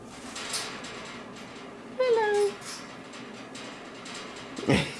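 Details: A young male cockatoo, about four years old, speaks as he gets ready for bed: one short, voiced, speech-like word with a slightly falling tone, then a brief harsh rasp, over low room noise.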